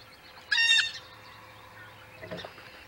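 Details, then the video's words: One strident, nasal jeer from a Blue jay close to the Audubon Boathouse nest early on the morning of 19 April 2020, over a hiss of background noise with a faint rustle afterward. "Silence, please, Blue jay! Some birdies are still sleeping!"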